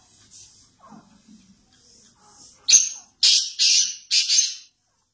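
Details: Pakistani black francolin, known locally as kala teetar, calling after a quiet start: a sharp opening note, then three rasping, grating bursts in a rapid rhythmic phrase, ending abruptly into silence.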